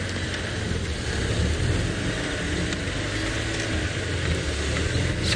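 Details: Continuous car engine drone and road traffic noise, with no animal heard.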